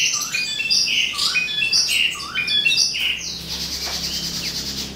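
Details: Song of an Asian pied starling, said to imitate songs it hears: clear whistled phrases that rise and fall, several similar swooping notes in a row, then a harsher, noisier chatter over the last two seconds.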